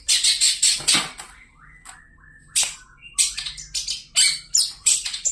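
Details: Long-tailed shrike gives loud, rasping, scratchy chatter bursts. A short run of thin sliding whistles follows, then more rapid harsh notes repeated several times a second.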